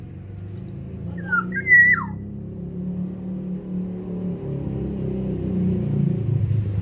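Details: Single liquid whistled phrase from a Sumbawa black-naped oriole kept in an aviary, rising then falling steeply at the end, followed by several seconds of only a low rumbling background hum.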